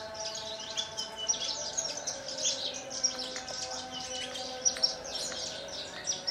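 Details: Captive Horsfield's bush lark, native to Kulon Progo, Indonesia, singing in the 'Jambul' style with wing-fluttering: rapid high chirps and short whistled notes tumble continuously over a steady low mechanical hum.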